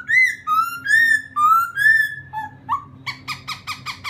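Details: Laughingthrush song meant to goad another bird: long, smooth, level whistles alternating in pitch, a brief rising note, then a quick row of short repeated notes at the end.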